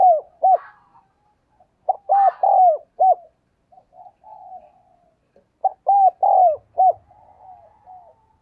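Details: Spotted dove kept as a decoy, cooing to lure wild doves: short hooked mid-pitched coos in quick bursts of four or five, three bursts in all, linked by softer drawn-out notes.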